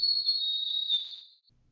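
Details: A chickadee, isolated with a band-pass filter from a lower-frequency cardinal in the same recording, gives one clear, high, pure whistle, held steady for about a second and a half and dropping slightly as it fades.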